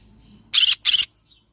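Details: Yellow-sided green-cheeked conure parrot giving two harsh, buzzy squawks in quick succession, each about a fifth of a second long, with a short gap between them and a quiet background.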